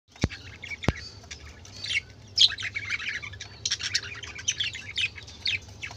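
Budgerigars chatter in busy, high warbling twitters and scratchy squawks, overlapping in bursts; two sharp clicks sound near the start.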